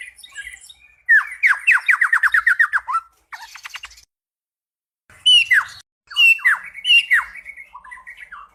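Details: Loud cucak pantai song in bursts: a fast string of sharp descending whistles, a short buzzy rattle, then pauses broken by strong, emphatic slurred phrases.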